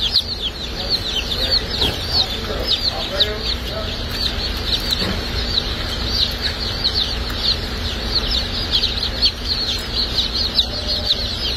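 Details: Dark Brahma baby chicks at a hatchery on hatch and shipping day, a dense chorus of many high peeps overlapping constantly, over a steady low rumble of machinery.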